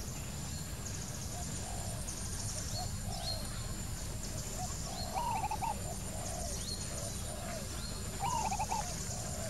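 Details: Repeated cooing of a wild spotted dove: low, rounded coos in a slow series, broken twice by a brighter wavering trilled phrase, with faint high bird chirps and a continuous low background hum.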